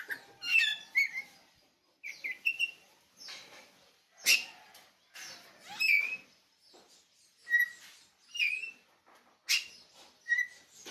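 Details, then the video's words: Oriental magpie-robin of the kacer bali type from Pupuan giving a run of varied, clear whistled phrases roughly every second, mixing sharp upslurred notes with short scratchy bursts. "kicau kacer bali"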